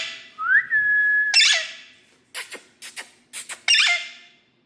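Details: Rose-ringed parakeet, a pet: a smooth rising whistle, then harsh raspy screeches, a few short sharp squeaks, and a final screech.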